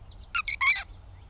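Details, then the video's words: A gray catbird in Bowdoinham, Maine, on 16 May 2020 gives a quick burst of three scratchy, squeaky notes in about half a second, over a faint low rumble. "The many sounds of the Catbird"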